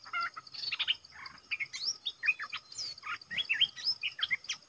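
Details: Red-whiskered bulbul kept as a decoy, calling to lure a territorial wild rival. Rapid cheerful chirps and short upslurred whistles repeat loudly through the clip, with a soft insect buzz behind.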